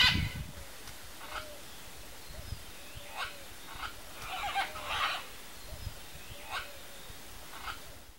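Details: A pair of wild red-and-green macaws at macaúba palm fruit; a series of harsh, coarse squawks, some doubled, repeated irregularly about once a second, with low thumps and rustling beneath.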